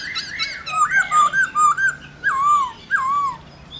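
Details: Rousing 'réo' song of a black-throated laughingthrush, aimed at getting other laughingthrushes to sing: tumbling swooping whistles run together, followed by two long descending wavering notes.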